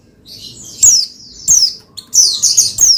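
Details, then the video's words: Pleci, the Oriental white-eye, singing to spur another pleci to sing: quick, high, downward-sweeping twitters in closely spaced bursts, the last part a dense run of bright chattering notes. "Menaikan Emosi Burung Pleci Bahan Agar Pleci Gacor Cepat Bunyi Rajin Gacor"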